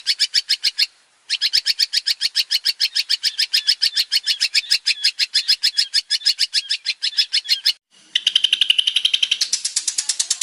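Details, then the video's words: Long-tailed shrike, a male singing a varied training song: a long run of fast, evenly repeated harsh chattering notes broken by a short pause, then a higher, squeakier rapid trill. "PANCINGAN BURUNG CENDET GACOR BANYAK VARIASI"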